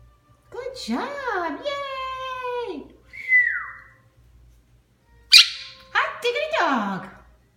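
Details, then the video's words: A female Quaker (monk) parakeet chatters indoors while building a nest and saying favourite phrases: a long warbling, speech-like phrase, a brief whistle, then a sharp squawk and more rising-and-falling chatter. "Jojo the Quaker Parrot"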